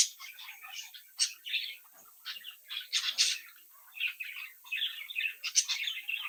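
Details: Brood of captive budgerigar chicks playing and socialising, chirping and singing; busy overlapping warble of short squeaky notes and buzzy chirps, with brief sharp clicks between phrases.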